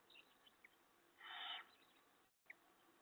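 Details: Evening nest scene, March 19, 2017, with an owl bringing prey to its mate and owlets; a single quiet breathy hiss lasting about half a second amid faint background noise and small clicks.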